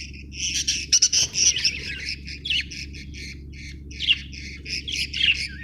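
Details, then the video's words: Budgie chattering almost nonstop, with fast buzzy chirps and squawky warbles repeated about four times a second over a constant low electrical hum. "budgie chirping sound"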